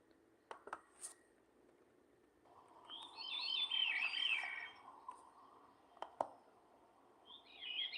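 A Swainson's Thrush song played back indoors: a flutey phrase of quick notes spiraling upward, with a second phrase starting at the end, among knocks and handling clicks.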